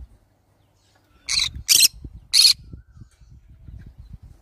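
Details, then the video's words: Three harsh, rasping shrieks in quick succession from a green-cheeked conure, over a low rumbling and thumping background. "green cheek conure sounds"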